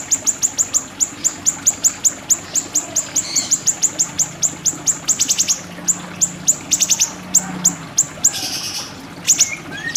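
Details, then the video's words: Siri-siri bird in a tutor recording for training songbirds: a long, fast, steady stream of sharp, very high chirps, several per second, with brief buzzy bursts and a faint low hum underneath. "Masteran Burung Siri-Siri"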